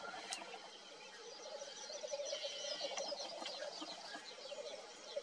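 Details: Black grouse cock at night on 27 April 2019 in Svinndal; a low, continuous bubbling murmur runs steadily underneath, while other birds add scattered high chirps and whistled notes above.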